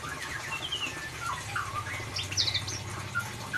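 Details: White-rumped shama in ngeriwik style, a lure song meant to coax a silent bird into singing: scattered sharp whistles and quick chattering phrases over a steady low hum.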